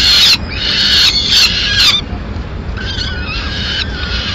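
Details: Female peregrine falcon in Madrid, 30 April 2016, arriving late in the day with pigeon remains; drawn-out, harsh wailing notes with stacked overtones, three strong ones within two seconds, then softer repeats, over steady low traffic rumble.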